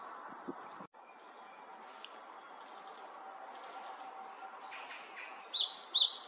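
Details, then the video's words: A male Great tit watches the surroundings and encourages the incubating female, giving a quick burst of about five bright, high, chinking notes near the end after a quiet stretch with faint distant bird sounds. "주변경계와 포란 중인 암컷을 격려하는 숫컷 박새"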